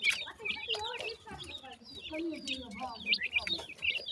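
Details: Partridge chicks at feeding time keep up a high, twittering chorus of short whistled peeps, with a longer lower falling trill midway and steady chirping throughout.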